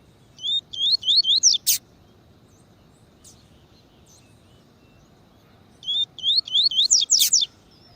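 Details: Double-collared seedeater (Sporophila caerulescens) song, played to warm up captive seedeaters: two quick, high phrases, each of about five sharp, slurred whistles ending in a harsh tick, with about four seconds between them.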